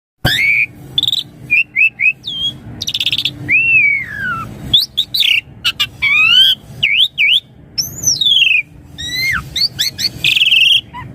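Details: Asian pied starling song used as a lure to prompt young birds to answer, delivered in a lively, richly varied style: sharp rising and falling whistles, buzzy bursts and clipped chirps in quick succession, with short pauses between phrases.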